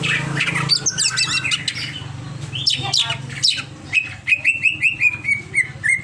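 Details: Over-excited greater green leafbird giving a dense burst of chattering, scratchy notes, then a string of clear whistled phrases repeated about twice a second, with a faint low hum underneath.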